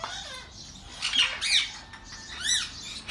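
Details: Ringneck parrots at feed time, captive colour forms: a few harsh, arched squawks over a noisy background, one loud screech mid-way and a rising-falling call near the end.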